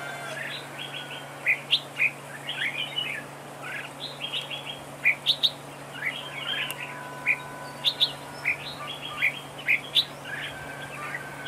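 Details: Red-whiskered bulbul singing as a trap decoy in a song duel; string of short, clear whistled and chirped notes with sharper accents every second or so over a steady low electrical hum.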